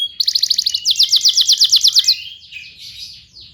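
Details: Canary singing in a training recording for young birds: two rapid rolls of repeated sharp notes, roughly eight per second, then a softer trailing warble, with faint low background hum.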